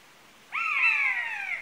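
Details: A buzzard gives a single long, plaintive mewing cry that rises briefly and then slurs steadily downward, clear against a quiet background.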